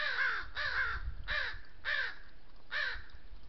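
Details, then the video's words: Crows claiming a water trough in Southern Sierra Nevada oak woodland scold a lone coyote drinking there. Five rough, drawn-out caws come at roughly half-second to second intervals over a low rumbling background. "These crows are laying claim of water trough ownership, and vocalize to the coyote their disapproval."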